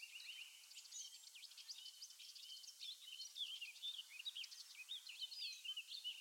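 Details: Eurasian blackcap singing a rich, fast warble of mixed whistled and scratchy notes, rising and falling without pause, bright and continuous throughout with faint background hiss.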